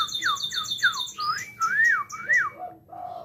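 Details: White-rumped shama, Jabo type, recorded at Cipinang Muara: a series of clear falling whistles, then wavering up-and-down slurred notes, ending in soft lower whistles.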